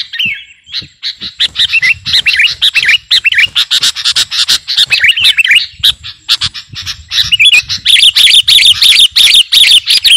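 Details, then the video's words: A sooty-headed bulbul of the kutilang garuda type, singing busily; the recording serves as master song and lure. It opens with a wavering whistle, then gives rapid, dense chattering bursts full of twisting whistled slurs, about three a second. "Burung KUTILANG GARUDA Gacor..!! cocok buat pikat masteran"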